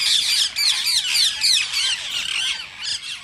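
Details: Green rose-ringed parakeet chatter meant to spur other parakeets to sing and mate: fast, looping, squeaky screeches roughly three per second, dense at first and fading slightly toward the close.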